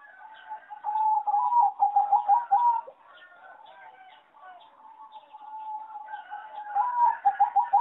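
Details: Farm-raised competition singing zebra dove with a weak melody: a steady rattling series of cooing notes for about two seconds, a quieter stretch of overlapping coos from neighbouring doves, then the rapid run returns.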